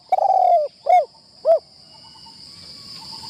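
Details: Spotted dove used as a decoy, on its first training session in a trapping enclosure. It gives a long, mellow, falling coo and then two shorter, bowed coos, with a steady high insect-like whine throughout.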